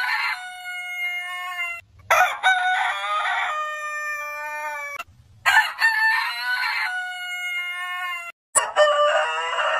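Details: Compilation rooster crows from heritage chicken breeds: three loud crows, the first a fairly clean held note, the others rougher and longer, with faint low thumps between the cuts.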